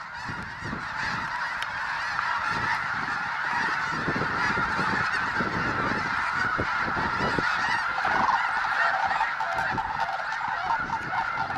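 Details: A flock of over 20,000 snow geese at a refuge, spooked from grazing in a field into low frenzied flight: a dense, continuous roar of overlapping honks and yelps with a rushing wingbeat noise beneath.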